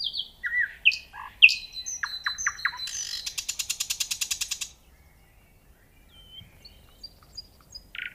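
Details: Nightingale song with high sharp whistles, a few repeated chirps, then a long fast rattling trill of evenly spaced notes before quiet, with faint distant notes after.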